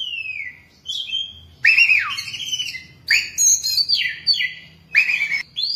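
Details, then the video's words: Caged Oriental magpie-robin kept ten years, singing loud clear whistled phrases that swoop down and rise, with sharp bursts of rich notes in quick succession and short pauses between phrases. "Chòe than 10 năm lồng"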